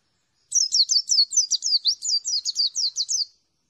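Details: Dakun white-eye from Merapi in the 'ngalas plong' style: one unbroken run of about three seconds of fast, high, downslurred chirping notes, evenly spaced and clean against silence.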